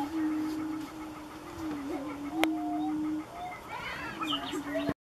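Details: Dancing prairie chickens on a Nebraska sandhills lek give a long low moaning drone with slight pitch steps, then a burst of rising, squealing cackles near the end and a sharp click midway.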